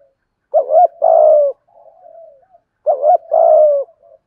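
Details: Spotted dove coo meant to stimulate a caged dove that has stopped cooing; two loud phrases of a looped double note and a long coo, with a soft, low cooing murmur between them.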